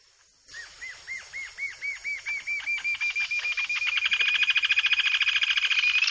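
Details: Yellow-billed jacamar song from Brazil: high, thin arched notes begin well spaced, then speed up and grow steadily louder, merging into a fast, slightly rising rolling trill at the end, with no other sounds.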